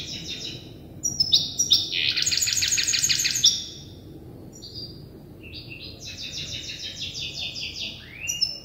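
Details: Learning its song from an older goldfinch hybrid, a young hybrid bird mixes sharp high chirps with long harsh buzzing rattles and ends on an upward-sweeping whistle.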